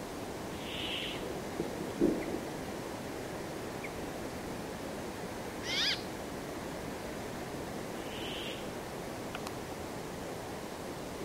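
Brambling giving two drawn-out, buzzy, nasal wheezes about eight seconds apart, with a brief chirp from another bird and a soft thump in between.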